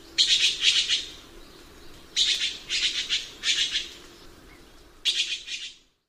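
A red-billed blue magpie gives harsh, rasping chatters in three bursts, each lasting about a second, with short pauses between them.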